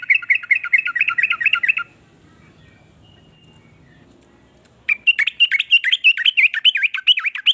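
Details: Yellow-vented bulbul in varied song that prompts rival bulbuls to sing along. A quick, rolling series of bubbly chirps is broken by a three-second lull, then resumes louder with wider swooping notes.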